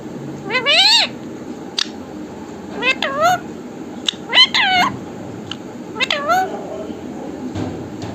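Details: Parrot talking, saying "Mithu Radhe Radhe": four clusters of shrill, speech-like syllables with curving pitch, separated by pauses of one to two seconds, over a faint constant hum.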